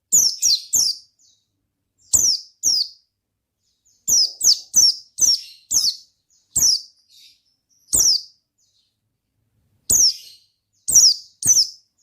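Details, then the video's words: High-pitched Oriental white-eye in ngalas style, a lively gacor delivery: clustered pairs and triplets of thin, falling chirps, fairly evenly spaced across the stretch, with clean silence between groups. "Suara Bikin Pleci Gacor Ngalas Dengan Burung Pleci Gacor NGALAS INI"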